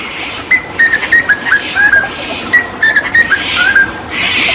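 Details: Papuan hooded butcherbird, an endemic mimic, singing in tembakan style: two runs of pure fluty whistles, each a quick sequence of five or six notes sliding gently downward, with a soft broad rushing noise at the end.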